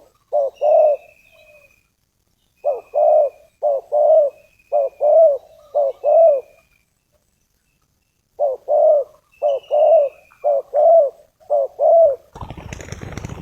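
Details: Spotted dove used as a decoy to draw in wild doves for trapping with snares, giving bursts of three to five rolling coos separated by pauses, a thin high whistle now and then, ending in a rustling noise.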